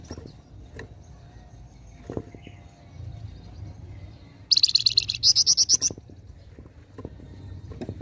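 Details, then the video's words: Caged flamboyan sings in besetan style, a hurried burst of rapid, high, sharp repeated notes running for about a second and a half, then stopping, over low background rumble and faint ticks. "Besetan Burung flamboyan gacor"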